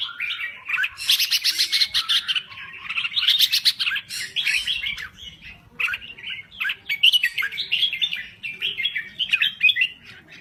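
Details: Red-whiskered bulbul of Thai origin singing vigorously, a long run of cheerful, bubbling warbles, chirps and rattled notes delivered in quick successive phrases with only short breaks.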